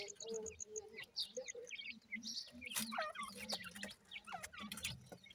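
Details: Week-old Grey francolin chicks, called dakhni teetar, peeping steadily: short high chirps and down-slurred squeaks from several chicks, with low clucking and scattered clicks.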